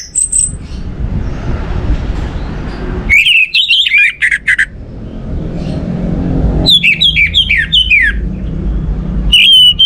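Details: Orange-headed thrush song played as a lure to get other birds singing: bursts of rapid, buzzy, warbling whistles with quick up-and-down notes, separated by pauses, over a steady low rumbling hum.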